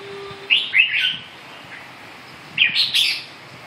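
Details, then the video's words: Red-whiskered bulbul: two brief bursts of bright, chirpy whistled notes two seconds apart, the second ending in sharp high accents, with a faint low hum at the start. "Kênh về chim Chào mào"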